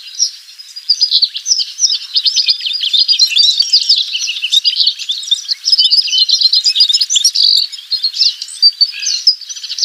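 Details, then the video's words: A Lawrence's goldfinch (Spinus lawrencei) sings a long, unbroken, high-pitched jumble of tinkling twitters and chips, rapid and varied throughout, with no other sounds. "O canto do Pintassilgo Lawrence"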